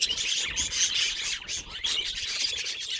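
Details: Budgerigar producing odd sounds; continuous busy high chirps and scratchy warbling notes, packed closely together with barely any pause.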